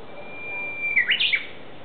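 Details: Japanese bush warbler singing in woodland at the ecology garden of Aoba-no-mori Park: a long, steady whistle rising at the end into a quick, loud flourish of two or three clear notes.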